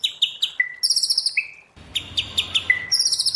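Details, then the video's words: White-rumped shama in wild forest-style song: short pulsed high trills alternate with flat steady whistles, a brief pause, then a run of rapid stuttering notes and another level whistle. "Luyện choè lửa hót giọng rừng hay, luyện giọng choè lửa hay"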